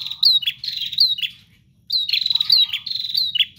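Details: Continuous prinia song with rapid, high chirps strung into two long bursts separated by a brief silence, a soft lower tone appearing between notes, and a faint background hum.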